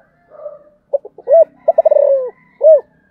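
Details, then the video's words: Spotted dove cooing: a soft murmured note, short clipped stutters, a loud arched coo, a rapid rolling run that drawls downward, then a strong rounded final coo. "cu gáy"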